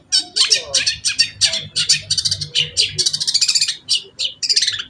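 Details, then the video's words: Cendet (long-tailed shrike) delivering a fast, dense chatter of varied harsh and buzzy notes, some rapidly trilled, almost without pause. "cendet pastol"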